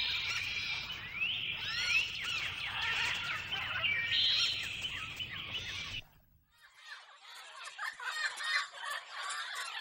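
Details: Lorikeets in a recording meant to entertain pet parrots: dense, busy chatter of high buzzy chirps and squeaks for six seconds. After a brief break comes fainter, more distant twittering.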